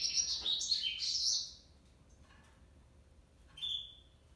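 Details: Singing male African yellow canary: a burst of high, tumbling twitters and trills for about a second and a half, then quiet, then one short clear whistled note.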